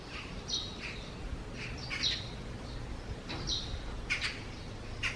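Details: Cloudy morning of 4 June 2020, a Eurasian tree sparrow coming out of its nest beneath the eaves: sharp, bright chirps given in loose bursts, roughly every second, with constant low-pitched ambient hum behind.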